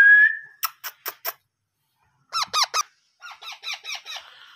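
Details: Parrot chicks being hand-fed, giving harsh squeaky begging calls: one drawn-out note, then bursts of three or four rapid, rasping, harmonic squeaks separated by short pauses, recorded indoors.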